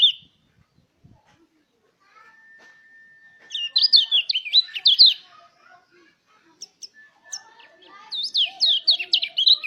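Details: Mountain white-eye song used to stimulate other white-eyes to sing: two bursts of rapid, high, warbling twittering notes, separated by a quiet stretch with a faint steady whine and scattered soft chirps.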